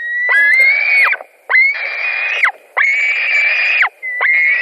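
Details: White-tailed eagles at their nest in Latvia, late evening of 17 July 2020, during a fish delivery: long piercing calls, each about a second, each ending in a quick downward slur, repeated with short gaps.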